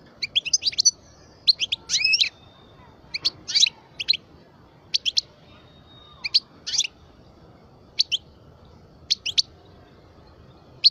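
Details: Twelve-year-old parva European goldfinch, kept in captivity, producing bright, high twittering notes in short clusters and pairs, repeated roughly every second over a quiet background.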